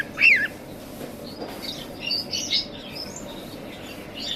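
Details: A pet cockatiel in an aviary gives a loud, sliding whistled screech, followed by softer high chirps from other birds.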